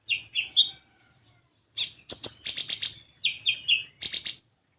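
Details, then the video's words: Sunbird, a 'kolibri ninja' lure recording to prompt other birds to sing: quick high slurred notes, a pause, then dense bursts of sharp twittering chirps and a run of descending whistled notes. "Pancingan Kolibri Ninja Bahan Agar Bunyi"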